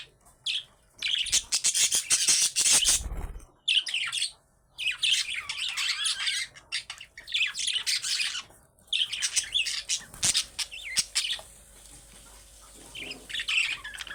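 Budgerigars chatter in bursts of high, scratchy warbles and squawks with brief pauses between.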